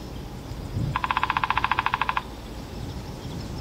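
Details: A Spotted Towhee in spring along trails by bushes and shrubs in a Vancouver forest, Canada, gives one dry, rapid trill of about fifteen even notes over a little more than a second, with a low outdoor rumble underneath.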